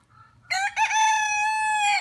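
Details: Rooster crowing: after a faint murmur, a short broken opening note leads into one long, loud, harmonic-rich crow that holds steady and ends abruptly.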